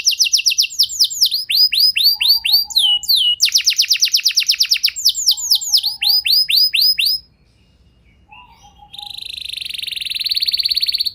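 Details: Canary singing to trigger long song in other canaries: fast repeated descending sweeps and arched notes in varied tours, a brief pause, then a sustained buzzy high trill rising in loudness.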